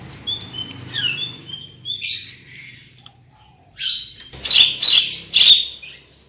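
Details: Lure recording of black-winged myna song, soft whistled and slurred notes first, then a pause and three loud, harsh, broadband squawks.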